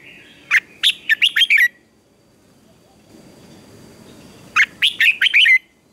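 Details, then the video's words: Red-whiskered bulbul singing in a morning contest: two loud bursts of five or six sharp, warbled notes descending toward a final slur, separated by a quiet pause with faint background hiss. "Chào Mào Hót Đấu Sáng"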